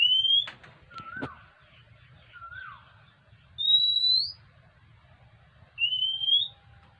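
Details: Begging Oriental magpie-robin asking for food, giving clear upslurred whistles and shorter falling notes in an uneven sequence, with a sharp click near the start and a constant low rumble underneath.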